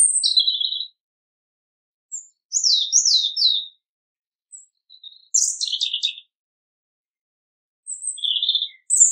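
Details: European robin, described as a small bird with a melodious, persistent song. High, thin, sparkling phrases with quick falling slurs and short trills come in brief bursts separated by pauses of one to two seconds, in a quiet setting.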